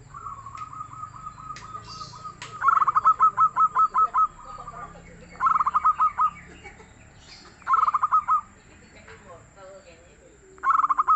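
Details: Local zebra dove, called a busy, soft-toned singer, repeats its rolling cooing phrase four times: rapid pulsed notes closing with drawn-out coos. A faint steady note and a few sharp clicks sound between phrases.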